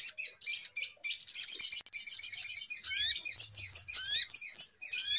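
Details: High-pitched little spiderhunter lure for trapping birds, with buzzy trill bursts followed by a series of sharp rising whistled notes mixed with chatter.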